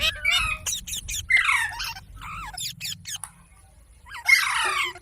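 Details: Parrot mimicking human speech with clipped syllables and falling, raspy word-like phrases, a quieter middle stretch, then a loud, harsh final utterance.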